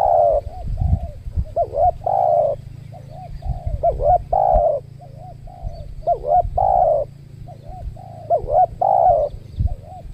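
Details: Spotted doves at a new trapping site beside a durian orchard, with tame decoy birds; a wild bird attacked the decoy then fled. Soft, low coos: brief notes then a longer swelling coo, about every two seconds, with faint rustling and thumps.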